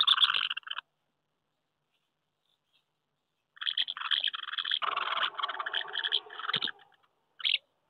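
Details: Common house martins at nests on a wooden house during May 2023 courtship, after a cool spell delayed breeding. A short twitter burst, a long silence, then several seconds of dense, scratchy chirruping and a final brief burst.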